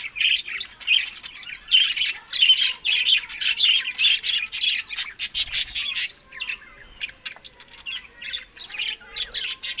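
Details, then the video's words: Budgie parrots eating summer food, May to June, Larkana, Sindh: loud, fast, rhythmic squawking chatter in rapid pulses, with a brief break near the middle before the chirping resumes, and a clean, quiet background. "Budiges Beast Summer Food Eating May to June Good Health Parrot"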